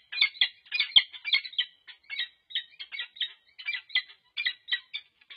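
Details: Peregrine falcons at a UC Berkeley nest cam, late November 2023, during pair-bonding with intruders about. A rasping, scratchy chatter of clipped notes runs steadily, a little softer, with short gaps between bursts.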